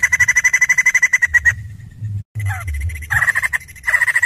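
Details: Energetic white-crested laughingthrush song: a rapid rattling series of sharp notes, a silent break, then softer slurred notes before the fast chatter starts again.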